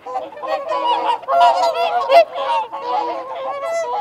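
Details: Brief burst of whooper swan feeding and territorial calls, rapid overlapping nasal honks swelling after one second, with a short rising whistle near the end and wigeon and mute swans present.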